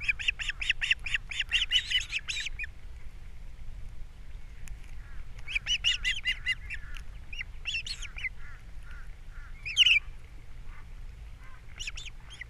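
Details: Wild ospreys at a nest camera on Captiva, April 3, 2022, morning, as the male brings fish and the female feeds chicks: bursts of sharp, whistled, arching chirps repeated rapidly in runs of several seconds, with pauses between.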